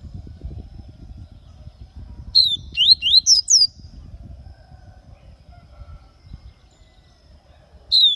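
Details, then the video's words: Papa-capim, the double-collared seedeater, recorded in Aracaju, Sergipe, Brazil, singing a lively baianinho-style phrase of about six fast, high, upswept and downswept whistled notes, with a faint low rumble beneath and another note starting at the end. "Papacapim baianinho soltando uns cantinhos"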